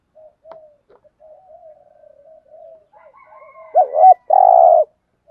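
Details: Spotted dove cooing in the thúc gù manner, thổ voice style: a run of soft, low, wavering murmurs and a faint higher thin tone, ending in a strong hooked double hoot and a long, even, buzzy coo.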